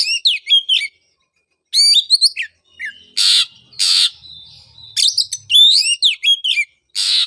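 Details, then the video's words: Oriental magpie-robin singing to stimulate a bird silent after moulting: fast ringing whistled phrases, two long harsh hissing rasps, a thin held whistle, then further bright varied phrases. "pancingan suara untuk terapi burung kacer"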